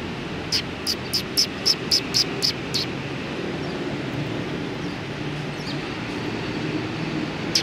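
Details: Eurasian tree sparrow, recorded on 29 November 2019, coming to be given insects, utters a quick run of eight sharp, high chirps over about three seconds, then falls quiet against a low background hum.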